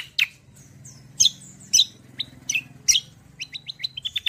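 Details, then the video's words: Kecial kombo as a song model and lure for other birds: emphatic high chirps and short whistled slurs, ending in a quick series of small rising notes. "BURUNG KECIAL KOMBO CUCAK KOMBO ROLL TEMBAK GACOR || UNTUK PANCINGAN BUNYI BURUNG BAHAN MANTAP"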